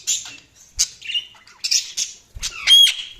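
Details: Budgies give a run of short, sharp chirps and squawks, several clipped and scratchy, one whistled tone near the end, with occasional soft knocks in the background.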